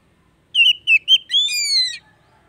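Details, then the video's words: Song of an Oriental magpie-robin, played to encourage a bird that stopped singing: three brief whistled notes, then a drawn-out rich whistle sliding slightly downward, in a clean quiet recording. "TERAPI HARIAN BURUNG KACER MACET"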